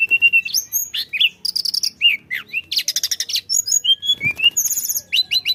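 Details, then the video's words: Flycatcher, known locally as tledekan, singing energetically as a lure to get other birds singing: a fast, varied string of high whistles, rapid trilled bursts and sharp upslurred notes, densely packed with barely a pause. "kicau tledekan gacor ampuh untuk pancing bunyi"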